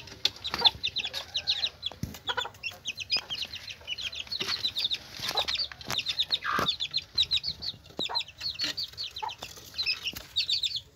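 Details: Hen with her chicks: dense, high, repeated peeping of many chicks fills the recording, with the hen's low clucks and scratching taps mixed in.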